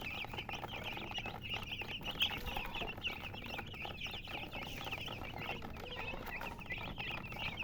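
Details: Chicks of a hen chirping together, a dense chorus of short, high, rising and falling peeps running continuously without pause, with faint low background rumble.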